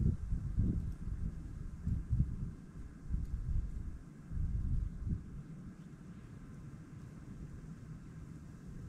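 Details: Low muffled rumbling and wind buffeting with soft thuds, no bird calls or other animal sounds.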